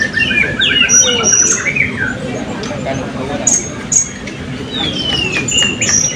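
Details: At the 2024 Balingian open songbird voice and style contest, class B blue-crowned hanging parrots give fast runs of squeaky chirps, then scattered high whistles and sharp ticks, with background voices.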